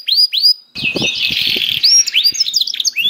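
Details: Canary singing to prompt other canaries: two arched whistles, then a dense blurred warble with overlapping notes and low knocking, ending in short swept whistles.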